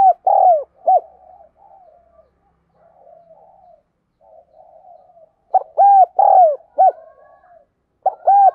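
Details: A caged lure spotted dove repeats its cooing phrase of short mellow notes and one longer downward-bending coo. Soft, low, rolling gurgles fill the pauses between bursts.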